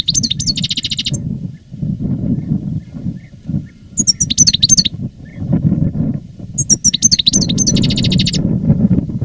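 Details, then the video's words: Reclamo-style song from a veteran caged European goldfinch after its moult, 2017: repeated bursts of high twittering, buzzy trills separated by pauses, with a loud low rumbling noise throughout. "Canto del jilguero"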